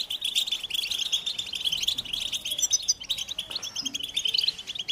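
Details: American goldfinches singing: steady, rambling high-pitched twitter of quick chirps and trills, with a brief louder run of notes near the middle.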